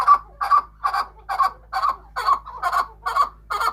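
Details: Farm-raised chukar in Quetta, Balochistan, calling loudly and steadily: nine clipped, throaty chuk notes at an even pace of a little over two per second, each with a bright, harsh edge. The background is quiet apart from a faint hum.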